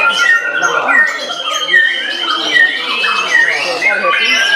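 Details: White-rumped shama singing a dense, rich medley of clear whistled notes and slurred phrases, with sharp whistles near the top of the range recurring about once a second over a busy, overlapping background of other song.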